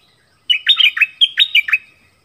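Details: Decoy dok taeng bird singing in a forest to attract a mate. A single rapid phrase of about eight clear, slurred whistles falls and rises in quick succession over a still, quiet background.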